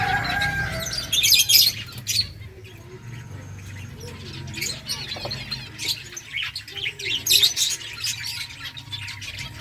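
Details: Finches in a colony eating eggfood, bursts of high chirping at the start and near the end, quieter scattered tweets between, with a faint steady tone and low hum.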